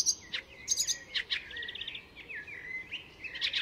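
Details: Varied mimicry from an Icterine Warbler recorded north of Stockholm: sharp high clicks and chirps mixed with a short buzzy trill and sliding whistled notes, all quick and restless.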